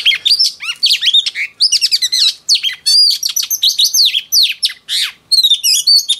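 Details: Female oriental magpie-robin, a wild-caught adult, singing to provoke males: a fast, unbroken stream of varied sweet chirps, trills and down-slurred whistled notes, very rich and dense throughout.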